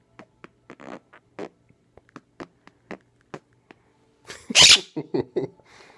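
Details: A pet monk (quaker) parakeet, newly adopted, makes short, sputtering raspberry noises copied from its owner.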